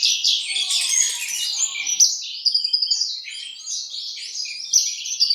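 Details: Horsfield's bushlark from East Java singing a busy, high-pitched run of chirps and buzzy trills, notes tumbling quickly with short gaps and no other sounds.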